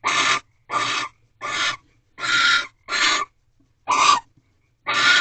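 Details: Barn owls in a nest box at night, 12:11 am on 8 March 2023, as the male delivers a rabbit to the female during egg laying. Seven harsh, hissing screeches, each about half a second, are separated by short silences.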